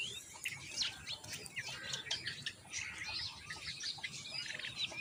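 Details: Young common mynas clamouring while their mother feeds them moringa: crowded, overlapping harsh chirps and short squeals repeated rapidly throughout, with a light background rumble.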